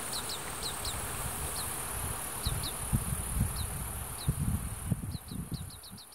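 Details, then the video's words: Recently fledged Oriental greenfinch young beg their parents for food in Hiratsuka, Kanagawa Prefecture, Japan, during breeding season. Faint, high, sharp chirps come singly and in fast clusters, thickest near the end, over wind noise from a built-in microphone. "カワラヒワ 巣立ち雛が餌をおねだり"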